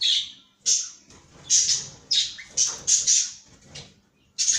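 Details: High, sharp chirps from a caged cockatiel, spaced irregularly about once a second, some with a short rising squeak, and quiet pauses between.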